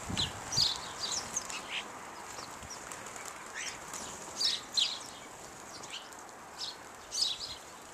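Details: Several house sparrows, mostly males and at least one female, feeding on bird seed: short, bright chirps in loose bursts, a few each second, with fluttering wingbeats and soft background hiss.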